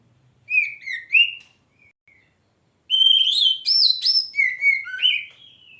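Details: Oriental magpie-robin singing: sliding whistled notes around mid-high pitch, a short phrase, a pause with faint chips, then a louder run of rising and falling whistles and bright chirps.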